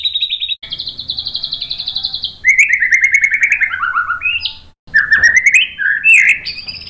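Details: White-rumped shama song used as a master recording to provoke other shamas into answering. A fast high trill opens, then a long stuttering trill slides lower, followed by varied whistled phrases and sharp rising notes.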